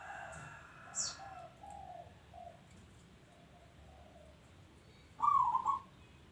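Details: Local zebra dove: quiet, soft coo notes at first, then one loud, rippling trilled coo near the end, with light background hiss and a faint click.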